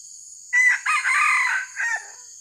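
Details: Red junglefowl crowing during a trapping session for wild junglefowl, used as a lure: a loud, hoarse crow broken into four bursts over about one and a half seconds, with a steady high insect drone behind it.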